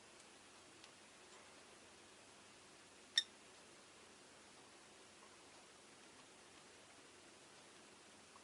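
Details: Quiet indoor room hiss with one sharp click a little past three seconds and no animal voice.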